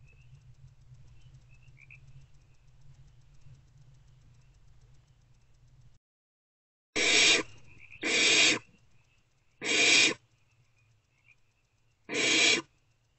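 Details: Barn owlets snuggling in nest box C at night, between 1:28 and 3:20 am on 3/2/24. After a low hum that cuts to silence, four harsh, broad hissing bursts of about half a second each come at uneven intervals. Faint high chirps sound between them.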